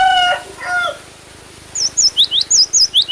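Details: Cinereous tit song: after a short harmonic crowing note from another bird, a fast string of about eight high, swooping whistled notes follows in quick rhythm.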